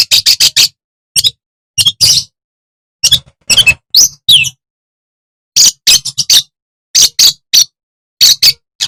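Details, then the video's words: Madura long-tailed shrike singing to set off rival shrikes: short clustered bursts of high, scratchy chips and squeaks separated by brief silences, including a pause of about a second. "CENDET manapun bakal GACOR dan EMOSI dengan Kicau CENDET MADURA SUPER GACOR INI"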